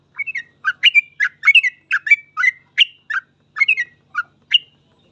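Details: Yellow-vented bulbul song in the rapid gacor full ropel style, used to teach other trucuk: a lively sequence of short gurgling chirps, some paired or tripled, delivered quickly over five seconds.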